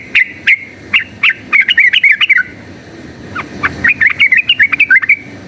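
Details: Yellow-vented bulbul giving a chattering fighting song used as a lure: a few spaced sharp notes, then a fast run of bubbly warbled phrases, a pause, and another rapid burst of rising and falling chirps.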